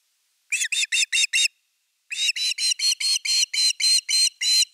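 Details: Osprey at nest #3 on a live nest camera, 30 August 2021, with the evening fish; a quick run of five piercing whistled chips, then a longer steady string of about eleven, roughly four per second.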